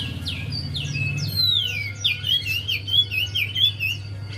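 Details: Lure song of a Javan white-eye, meant to get a silent bird singing: sharp high swooping whistles give way to a string of quick, wavering twitters, with a constant low electrical hum behind.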